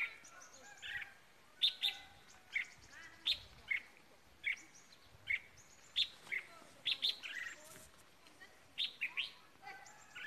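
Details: Caged red-whiskered bulbul used as a decoy bird around Tết, repeating quick sharp chirps and short warbled phrases roughly every half second to second throughout, with faint background chirping.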